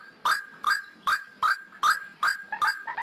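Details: Pikat ruak-ruak, the white-breasted waterhen lure call for trapping: seven sharp, rasping notes in three seconds, each a brief harsh bark at a regular, brisk rhythm.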